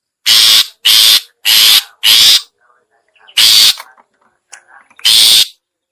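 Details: Series of four rough, scratchy bursts, then two more after a pause broken by faint soft notes; a long-tailed shrike call meant to draw in other shrikes.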